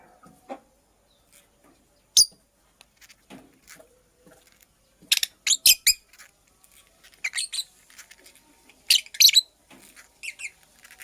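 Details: Purple lovebird, a female making a nest, giving clusters of short, sharp, high chirps in quick bursts around the middle and end, with scattered soft clicks and rustling between them.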